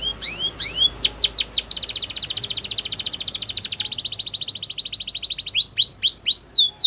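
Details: Canary training song: fast sweeping whistled notes, then a long rapid trill of dense repeated notes lasting over two seconds, closing with rising upslurred whistles; high-pitched and loud throughout.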